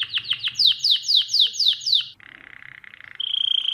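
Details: Domestic canary singing for tutoring young birds: a quick series of descending whistled sweeps repeated about four times a second, then a lower dry rattling trill, ending in a bright, rapid, steady trill.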